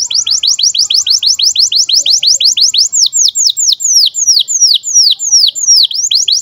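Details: Birahi canary chirping, recorded as tutor material for young canaries: a steady run of loud, sharp down-slurred whistles repeated about three times a second, high-pitched and clean against a quiet background.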